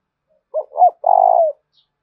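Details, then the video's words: Single coo of a spotted dove used as a lure to prompt other doves to call. It has two quick mellow notes, then a sustained, gently pulsing deep coo that dips at its close, in otherwise quiet surroundings. "Tiếng cu gáy mồi thúc và gáy gọi"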